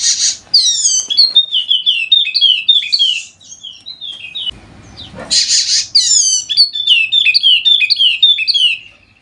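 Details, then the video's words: Wallacean white-eye, Sumbawa endemic, a lure for birds slow to sing: two long rapid strings of high, falling chirped notes, each opened by a harsh noisy burst, with a short low rumble between. "Pancingan Khusus Untuk Burung Pleci Wallacea Yang Malas Bunyi Agar Rajin Bunyi Gacor!!!"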